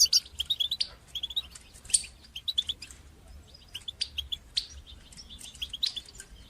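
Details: European goldfinch song of the batbata and satsata styles, played to stimulate and teach young goldfinches to sing; quick liquid twittering bursts of high chirps and trills, grouped in short phrases with brief pauses, over a faint low hum.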